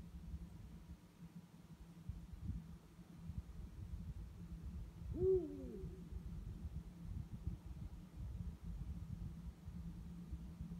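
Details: Night recording with two eagle-owls calling; one low, deep hoot rises and falls midway, surrounded by quiet rumbling background noise and a constant low drone.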